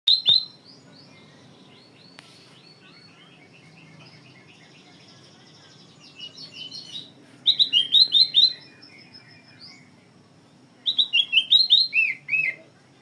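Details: Black-crested bulbul singing vigorously, its song mixed with magpie-robin phrases: two loud bursts of rapid, clear whistled notes, rising and falling, with softer chirps and faint low background hum between them.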